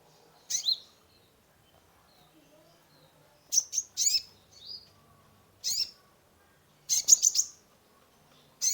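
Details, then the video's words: Sunbird, known locally as kolibri ninja, singing vigorously with a full varied repertoire, played as a lure to stimulate a stressed caged bird; sharp, high-pitched chirps in short bursts, some doubled, separated by pauses of one to two seconds. "Terapi pancingan konin gacor full isian mengatasi burung stress !!"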